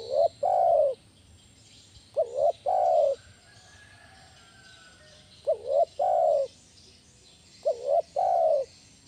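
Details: Spotted dove lure call in the 'kuk 1' style, used to train other doves. Pairs of low coos, a short clipped note leading into a longer held one, come in four bursts separated by pauses of about two seconds.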